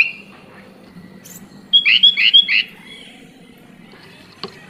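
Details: Sooty-headed bulbul, called kutilang, singing: a burst of three quick bubbly, slurred notes near the middle, after a thin steady whistle, with faint chirps and a click-like sound nearby.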